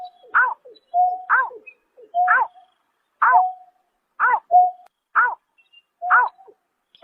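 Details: In March 2024, at night, a greater painted-snipe repeats a rhythmic series: short falling harmonic calls and level whistles, roughly once a second, eight notes in seven seconds, background quiet.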